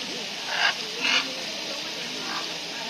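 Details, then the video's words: Macaws at a bird park in Foz do Iguaçu, Brazil, giving two short, harsh, broadband squawks about half a second apart against a steady hiss. "Araras no Parque das Aves"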